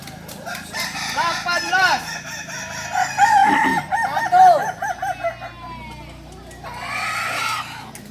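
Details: Kukuak Balenggek chickens, singing breed native to Solok, practising performance crowing; several overlapping crows of repeated arched syllables rise and fall, with a lull before a last crow.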